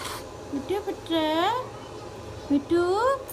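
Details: Talking pet Indian ringneck parakeet uttering two short, nasal, speech-like phrases with rising and arching tones, separated by a brief pause, in a quiet room.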